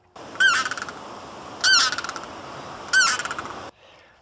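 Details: A limpkin feeding on apple snails in shallow water gives three loud, harsh, wailing, Banshee-like screams about every 1.3 seconds, each breaking into a stuttering, fading rattle, over a steady background hiss.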